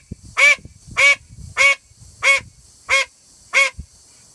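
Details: Female call duck calling loudly at full force: six harsh, nasal quacks about every 0.6 seconds, each a strong buzzy burst, with faint low rustling between them.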